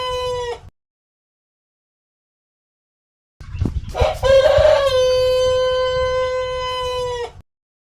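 A rooster crows: the end of one crow, a pause, then a rough start breaking into a long, steady, drawn-out note held for about three seconds.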